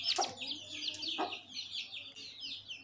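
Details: A hen with her chicks, described as very devoted to them; soft, high falling peeps from the chicks repeated in a steady series, with one brief louder note near the start and faint background hum.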